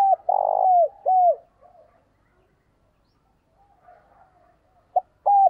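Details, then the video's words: Decoy spotted dove coo, used to draw wild doves in. A rolling, purred note and a downslurred coo open the clip, then a pause, then short notes begin another phrase. "chim cu mồi gáy chuẩn kích bổi, rất nhiều con bổi đã nổi nhờ nghe tiếng này"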